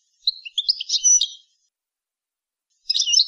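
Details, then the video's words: European goldfinch song phrase for teaching young goldfinches and hybrids: a rapid jumble of liquid twittering notes lasting about a second, followed after a pause by another twittering burst. "لغة الحسون لتعليم وتلقين فراخ الحسون والهجين"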